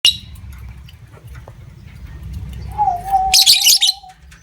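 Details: Caged lovebird ngekek, a long chattering trill used as a lure to stimulate other lovebirds, heard as a short, harsh, high burst near the end, with a steady wavering low whistle-like coo before it and a faint low hum throughout.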